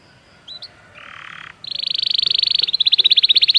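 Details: Belgian canary training song for canaries: after a faint chip and a brief rasp, a rapid high rattling trill builds in volume and continues steadily to the end.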